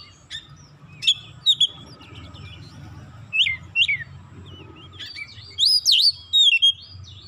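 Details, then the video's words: Oriental magpie-robin song used as a lure to set other magpie-robins singing: sparse, separated bright whistled notes and upswept chirps, with a complex twisting phrase toward the end over steady low background noise. "100% gacor Kacer lain sekali pancing"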